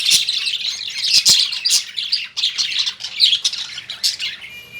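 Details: Lovebirds chirping in their cage at home: a run of busy, high, squeaky chatter with a couple of sharp knocks early on. It fades slightly toward the end, where a faint electronic whine appears.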